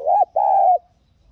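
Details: Spotted dove kept as a lure to call in wild doves, uttering a short low coo followed by a longer, level, drawn-out coo that fades at the end.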